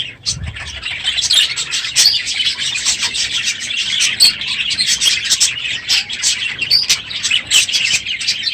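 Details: Crowded aviary of budgerigars chattering loudly one morning at the end of the breeding season: continuous twittering and warbling from many birds after a brief low thump at the start.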